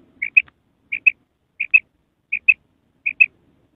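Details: Five evenly spaced pairs of short, high, clipped notes from a female common quail calling at night, roughly one pair every 0.7 seconds in quiet surroundings.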